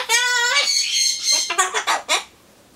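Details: Captive Solomons corella mumbling alone while awaiting pumpkin, opening with a long harmonic, voice-like syllable, followed by several short choppy word-like bursts before quiet falls.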